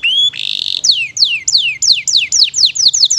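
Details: Canary singing energetically in a long training recording with a rich repertoire: a rising whistle, a buzzy held note, then a run of bright descending whistled notes repeated about every quarter second.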